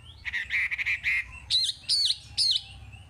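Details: Chinese hwamei singing as training material for untamed birds: a buzzy, chattering run of rapid notes, then three loud separate whistled phrases about half a second apart.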